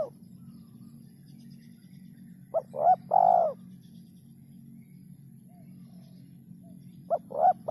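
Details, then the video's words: Spotted dove giving its three-note 'kuk 3' call: a short low coo followed quickly by two fuller, rounded hooting coos, the phrase lasting about a second and starting again near the end; a steady low hum underneath. "suara burung terkukur kuk 3"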